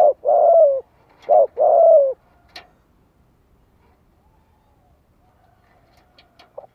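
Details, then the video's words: Spotted dove calling to stimulate other doves to answer: strong hollow coos at the start, two drawn out and falling, followed by quiet with a faint distant coo and a few soft ticks near the end. "Tiếng chim cu gáy kích bổi cực sung - Chim nghe là gáy lại."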